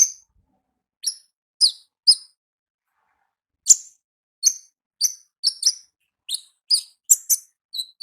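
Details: Sparse high-pitched ticks and chirps from a wild olive-backed sunbird singing ngalas, single sharp notes spaced irregularly, closing faster with doubled chips.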